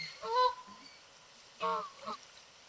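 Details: Several Canada geese swimming on a lake and honking to one another; two loud, rich, drawn-out honks about a second apart, with a brief softer note trailing the second.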